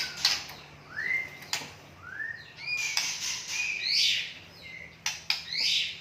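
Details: White-rumped shama of wild forest origin from Bahorok, called a champion singer, delivering a lively song of loud upward-sweeping whistles and brighter burry notes, repeated about every second, with sharp clicks between phrases.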